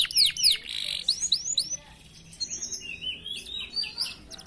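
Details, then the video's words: Canaries at a bird farm, used as a lure for other birds, give bright downslurred whistles and buzzy bursts, a brief pause, then softer rising and falling whistled phrases. "clear sound of canary birds singing diligently, suara jernih burung kenari gacor untuk pancingan"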